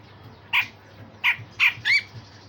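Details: Grey-cheeked bulbul song used to train other songbirds, with coarse phrases and sharp bursts: four harsh, bright notes about a third of a second apart, the last with a rising whistled stroke, over a low steady hum.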